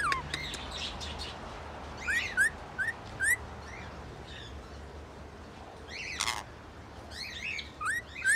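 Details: Rainbow lorikeet singing, said to be in love: short, rising whistled notes repeated in small bursts, mixed with chirps and a harsh broad screech near six seconds, over a low steady background rumble.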